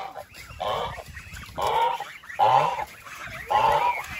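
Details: Goose honking about once a second, each honk a harsh, nasal blare of similar length, separated by short quieter gaps.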